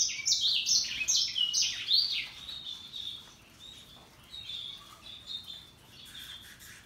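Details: Russian yellow and Timbrado canaries singing: a lively run of loud sweeping whistled notes and warbles, fading into softer high twittering.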